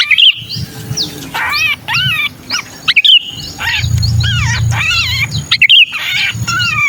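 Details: Sooty-headed bulbul distress squawks, kutilang kejepit, used to lure bulbuls that rarely come down: harsh, harmonic, rapidly repeated cries with several overloaded bursts and thin high notes, above steady low-pitched noise.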